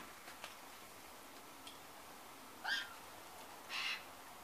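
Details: White-winged choughs at a backyard bird feeder in O'Connor, Canberra, 2022, some with leg bands; one gives two short, harsh calls about a second apart, with a whistled edge.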